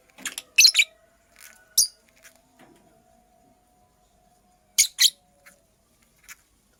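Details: Female purple lovebird building a nest: a few scattered, high, scratchy chirps in short clusters separated by near-silent pauses, with a faint steady tone in the background.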